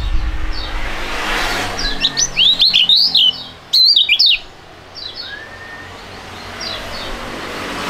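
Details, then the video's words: Two young caged songbirds of fighting type sing together. After a quiet start, two bursts of rapid, high, jagged whistled phrases are broken by a brief pause, then sparse distant chirps follow. "STORING DUET PRUGUT DUA BURUNG MUDA YANG SANGAT ISTIMEWA"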